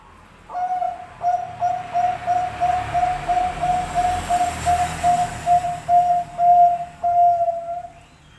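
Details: Zebra dove of the Bangkok type, played as a master recording to prompt lazy doves to sing. It gives a long run of clear, steady, evenly pitched coo notes, about one and a half per second, over a soft background hiss.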